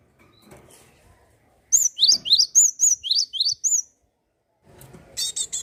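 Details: Java sparrow in full, lively song, offered to encourage untrained birds or birds that have stopped singing: a two-second run of high, bell-like arched notes alternating with sharp rising chirps, about four per second, with softer notes trailing afterward.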